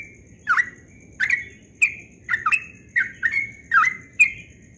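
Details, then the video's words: Dawn song of a yellow-vented bulbul, ropel style: bright, click-led whistled notes given roughly every half second, several sliding downward and a few doubled, over a faint steady electronic-like high whine. "Trucukan Ropel Subuh suaranya merdu sekali"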